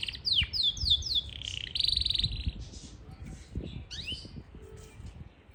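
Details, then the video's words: Parachinar Yorkshire canary sings four or five sharp descending whistles, a loud buzzing trill, then softer scattered chirps and a rising sweep as the phrase fades. "Yarkshiere Canary Singing"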